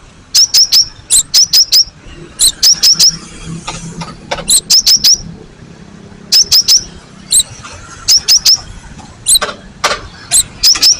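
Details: Cinereous tit, called gelatik batu, in a recording used as a lure that draws replies from old and young birds. Steady clusters of three to four sharp, high, ringing notes repeat through the clip, with faint low background rumble.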